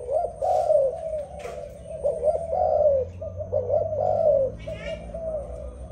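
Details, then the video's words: Repeated mellow dove cooing, each phrase a smooth swelling note that slides gently down, given in a steady series of about four coos with brief pauses, a few faint clicks in the background. "Sound dove singing, Lovely dove Singing so beautiful. Amazing dove"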